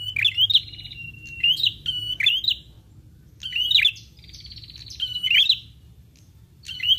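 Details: Prinia-attracting lure sound: bursts of high chirps joined to flat, buzzy trills, several phrases spaced one to two seconds apart, over soft low background noise.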